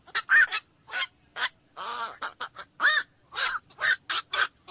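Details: Black-crowned night heron giving a rapid series of harsh, hoarse squawks, some croaking and others sharper, packed closely over about five seconds with almost no pause between them.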